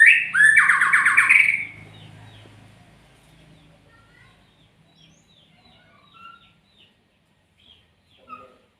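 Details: Magpie-robin (murai) opens with a loud upswept note and buzzy pulsed trill, then softer scattered chirps from other birds over a low background rumble.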